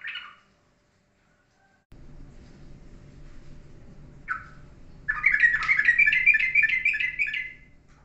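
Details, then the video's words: Yellow-vented bulbul in ropelan-style song, steady and calm: a short note, then over a steady background hum a single call and a fast rattling series of repeated bright notes lasting over two seconds. "Trucukan Ropelan pasti dan kalem"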